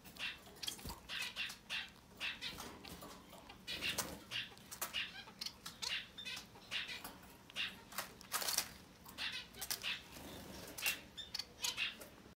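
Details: Society finch chicks, up to 10 days old and growing fast, give rapid, high, raspy begging calls in short bursts, often several at once, with brief pauses between flurries.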